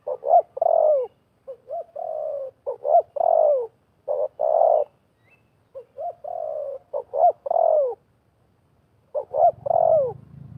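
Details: Trapping session in which a wild spotted dove and a decoy dove call fiercely against each other. Repeated three-part coo phrases, each ending in a falling note, alternate with pauses. A low rumble enters near the end.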